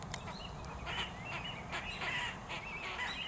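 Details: Falcated ducks at Tsurugaike pond, Iwata, Japan, on 1 March 2020, give short, high whistled notes mixed with harsher nasal bursts about every half second over a low background rumble.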